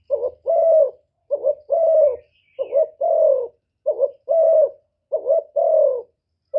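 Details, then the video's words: Repeated coo phrases of a spotted dove used to provoke males, each a short stuttered note followed by a sustained, slightly falling hoarse coo, given roughly every 1.3 seconds. "TIẾNG CHIM CU GÁY KÍCH TRỐNG RẤT HIỆU QUẢ, GÁY GỌI THÚC KÈM CỰC CHUẨN"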